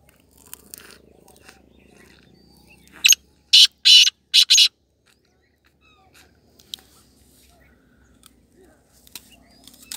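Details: A hand-tamed female black francolin in Pakistan, with her chicks in breeding season, gives one loud, harsh, grating phrase of four rasping notes, the last two quick and close together, with faint distant chirps.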